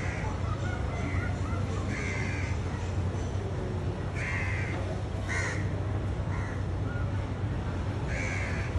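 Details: Crows in a tree give harsh, hoarse caws in short bursts, about four spaced over several seconds, above a steady low rumble of background noise.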